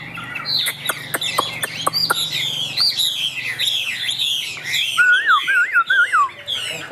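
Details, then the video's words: Caged Chinese hwamei of the Tam Hoàng type, a bird offered for sale, singing high: loud whistled phrases over sharp clicking notes, ending in a clear wavering whistle repeated three times. "Họa Mi Tam Hoàng - Hót Cao Cầu"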